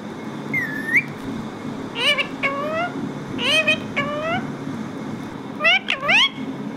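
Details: A pet parrot, locally called mithu, playing and talking. Loud harmonic calls at about 2, 3.5, 4 and 6 seconds rise and fall in pitch, with a steady low hum underneath.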